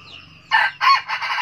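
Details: A red junglefowl crows in the 'cà lắm' manner, loud and close: three raspy, broad bursts in quick succession, each about a third of a second, after a short quiet lead-in.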